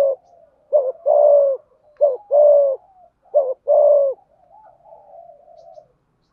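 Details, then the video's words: Spotted dove in 'thúc gù' cooing and 'gáy gọi' calling styles, voice type 'hạp bổi'. Low hollow coos come in three phrases, each a short note then a longer drawn note, about every 1.4 seconds, with faint soft murmuring between. "Tiếng chim cu gáy thúc gù và gáy gọi"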